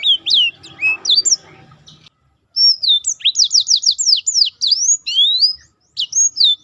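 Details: Black-throated canary delivering its special roll song for contest-bird training: a few quick chirps, a brief silence, then a long even series of repeated high downslurred notes, ending with scattered twitters.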